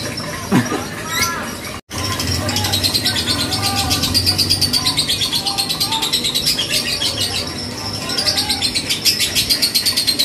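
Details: Three-month-old lovebird, a repeat competition winner, pours out a long, unbroken chatter of shrill, rapid chirps and squeaky trills, running on for seconds without pause after a brief cut.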